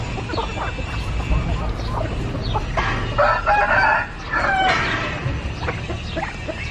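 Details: Chicken crowing, a loud harmonic crow in two bursts near the middle, rising over steady clucking and chatter from many other fowl, with low background rumble.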